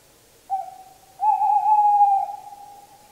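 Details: Song of a tawny owl. A short, quiet opening hoot is followed after a gap by a louder, drawn-out hollow note held for about a second before it trails away softly.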